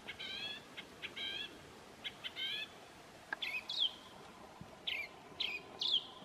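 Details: A thrush in New Zealand sings its well-known whistled tune: bright, ringing phrases of short rich notes repeated in quick pairs, then clear, sweeping high whistles, with a faint steady hum behind.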